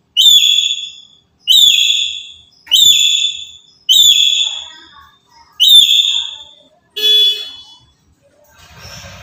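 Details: Black-capped lory, an active bird used as a trapping lure: six loud whistled notes roughly every 1.2 seconds, then a shorter, rougher note and a soft hiss at the end.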